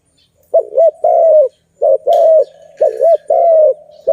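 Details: Zebra dove, called Malay dove, cooing: three phrases, each a quick looping double note followed by a longer, slightly falling drawn-out coo, with short pauses between them.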